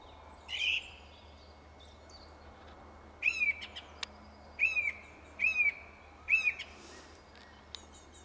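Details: Song thrush singing in a tree: one short phrase early on, then the same brief, slightly rattling whistled phrase repeated four times at roughly one-second intervals, over a steady low background hum.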